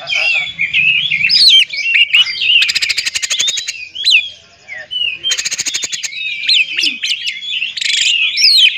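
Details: Oriental magpie-robin singing to provoke other magpie-robins: fast twisting whistles and chattering phrases broken by two loud buzzy rattling bursts, low murmuring sounds beneath.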